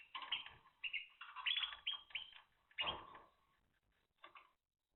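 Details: Timbrado canary singing, recorded indoors on day ten: rolling, slightly metallic trills and short warbled phrases in bursts over about three seconds, then a brief final flourish before silence.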